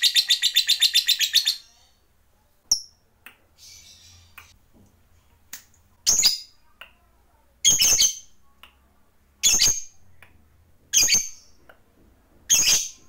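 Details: Lovebird used to provoke other lovebirds, opening with a brief rapid high trill, then sharp, harsh high chirps spaced one to two seconds apart, with faint tapping sounds between.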